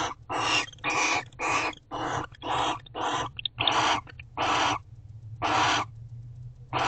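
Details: Barn owls guarding their house at an owl box, 5:41 am on 12/1/23: a run of harsh, hissing, broadband screeches, each about half a second long, given roughly once a second with short gaps, over a low steady hum.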